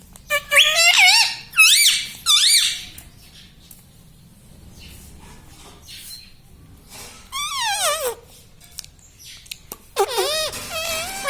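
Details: Pet parrot talking, repeating the words mummy and papa: loud, harmonic, wavering voice-like phrases in bursts near the start, with quiet gaps, then further swooping calls toward the end, indoors.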